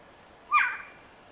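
An owl gives a single harsh, raspy screech lasting about a third of a second. It fades quickly into quiet background.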